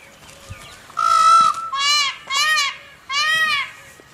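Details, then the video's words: Indian peafowl (peacock) giving four loud, wailing calls rich in harmonics. The first is longest, about half a second, and the next three are shorter and come in quick succession, with faint background rustle between them. "Peacock Sound"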